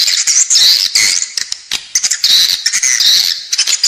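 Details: Lure sound of edible-nest swiftlets for the inside of a swiftlet building: shrill, buzzy chirps in overlapping bursts, loud throughout with short dips between phrases.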